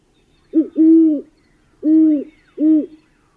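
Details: Four deep, soft hoots from a Great Horned Owl in a stuttered rhythm, a short note running into a long one, a pause, then two more; this hooting is general communication signalling other great horned owls nearby.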